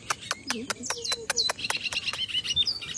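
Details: Bajero singing near Valledupar in July 2025 at 5 pm: sharp repeated ticking clicks about every fifth of a second under high, quick chirped and slurred notes, with faint low murmurs below.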